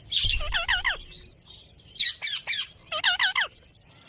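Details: Ringneck parrot giving three bursts of loud, harsh, raspy squawks, each of about three or four quick notes, separated by short pauses.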